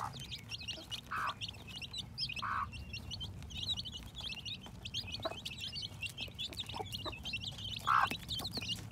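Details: Newly hatching chicks in spring 2021, a dense chorus of high, rapid peeping cheeps, with occasional lower clucks from an adult chicken and a steady low background hum.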